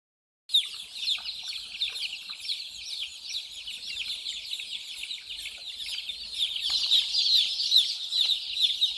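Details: Flock of small white baby chicks running, playing and drinking water; dense, continuous high peeping chorus of short downward-slurred chirps that starts after a brief silence and grows louder and busier toward the end.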